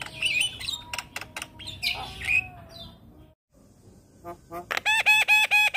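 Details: Young Asian pied starling singing busily through the day: varied harsh notes and slurred whistles, a brief pause, then a run of loud, evenly spaced harmonic notes repeated about twice a second.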